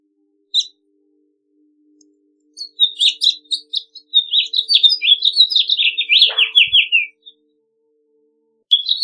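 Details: Extended House Finch song: scattered chips lead into a long, fast warble of slurred descending notes ending in a buzzy run, with a faint low hum and a brief knock.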